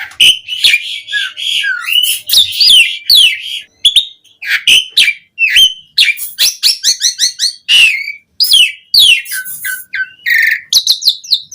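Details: Varied Asian pied starling song for luring starlings into song: dense mix of slurred whistles, squeaks, harsh notes and quick chirps with barely a pause.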